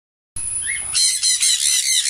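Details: A grey parrot mimics speech ("¿Aló?"): a soft, thin note, then a run of harsh, raspy, pulsing bursts like a squawked word, repeated about three times.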